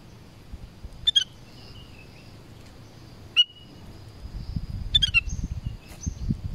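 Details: In the forest, a black-crested bulbul utters three brief whistled phrases, short and fluty with dropping notes, against a soft background hiss that grows louder toward the end.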